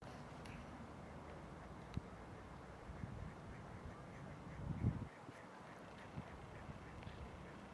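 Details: Female ruddy shelduck at Špica, Ljubljana, Slovenia, on 28 January 2023, giving a few short, nasal, goose-like honks spaced irregularly over a steady low rumble of city or water noise.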